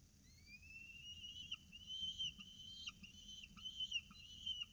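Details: Peregrine falcon chicks in a nest box in Orange during the first breakfast feeding on 29 October 2018; a thin, rising high whistle drawn out over several seconds, broken by brief clicks and squeaks.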